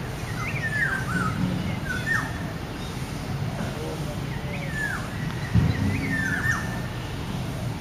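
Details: A wild black-naped oriole (Oriolus chinensis) sings in Taman Suropati city park in Menteng, Central Jakarta. It gives four fluty, slurred whistled phrases a second or two apart over a steady low rumble of city noise and a thin high hum.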